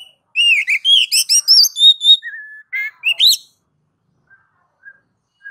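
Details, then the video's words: Ngeplong-style song of a kacer, the oriental magpie-robin, meant to prompt other kacer to sing. A quick cascade of varied high whistles, a steady lower whistle, two sharp rising notes, then only faint distant peeps. "MASTER DASAR KACER NGEPLONG MEMANCING KACER AGAR CEPAT BUNYI GACOR Birds Song Kacer"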